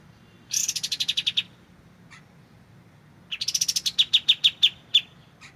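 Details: White-shouldered triller, known locally as kapas tembak. It gives two bursts of rapid, evenly spaced high notes, about eight per second, separated by a pause of nearly two seconds, with faint background hiss.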